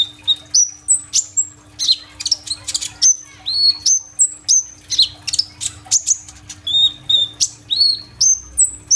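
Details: Kolibri ninja sunbird in full, lively song with fill-in phrases, used as a lure for young birds, recorded on an Oppo A37f phone: high whistled notes, sliding and rising, mixed with sharp chirps in quick repeated bursts, with a faint steady hum.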